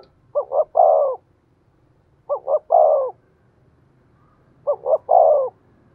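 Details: Spotted dove serving as a decoy, calling in the 'giọng thổ' style. Three evenly spaced phrases come about two seconds apart, each of two quick hoots and a drawn-out coo. A low rumbling hum runs underneath.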